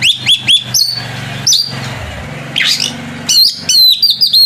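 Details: Oriental magpie-robin singing to draw a rival bird into answering: quick bright chirped whistles, a scratchy rising note mid-way, then a fast burst of clear warbled notes, with a background hum.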